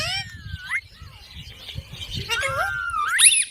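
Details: Pet parrot talking. Sliding, harmonic whistled and squawky vocal notes that rise and fall, ending in a sharp high screech, over low background rumble.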